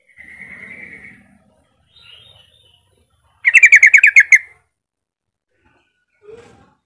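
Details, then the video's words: ['Yellow-vented bulbul singing to lure other bulbuls into song: a soft sustained note opens, then a loud, quick run of about eight bubbling, slightly descending notes, followed by a faint low chirp.'] "Kicau Suara Trucukan Gacor Full Isian Mewah"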